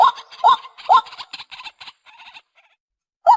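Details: White-breasted waterhen from a Vietnamese lure recording gives three harsh kwak notes, then a rapid, softer chattering stutter. The chatter fades into near silence before one final loud note.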